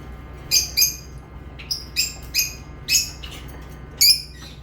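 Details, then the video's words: Lovebirds chirping in crisp, high, clipped notes, often in quick pairs, about seven bursts spread across the stretch, with a faint low hum behind. "Love birds chirping sounds"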